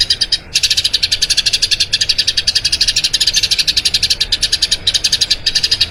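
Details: Long rolling song from a Eurasian tree sparrow, used as training audio for other birds: after a brief pause, a dense unbroken stream of quick high chirps fills the rest.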